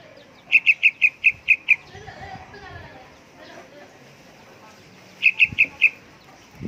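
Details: A young yellow-vented bulbul, calling busily, gives a fast string of seven crisp, high chips, then a quieter stretch of faint sounds and murmuring, then a further run of four chips.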